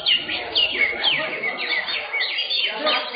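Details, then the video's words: Greater green leafbirds in a songbird contest class at an Indonesian bird-singing arena on 10 September 2023. Loud clear whistles sweep up and down in quick phrases about twice a second, over a steady murmur of crowd voices. "KELAS CUCAK HIJAU"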